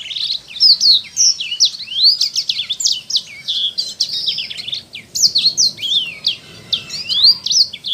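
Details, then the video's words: Loud, clear song of a Sanger bird recorded for caged-bird training: fast, energetic series of high chirps and sharp sweeping whistles, pausing briefly midway. "MASTERAN Suara ASLI Burung Sanger Gacor"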